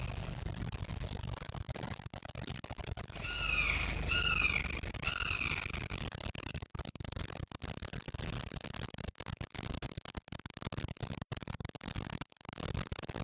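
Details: Fledgling red-shouldered hawks that have just left the nest give a brief run of shrill, downslurred kee-ah screams lasting a couple of seconds, over a steady low rumble of wind or traffic.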